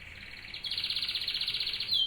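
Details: A domestic canary singing: a steady, rapid rolling trill of evenly repeated notes, held for over a second, ending on a short descending whistle.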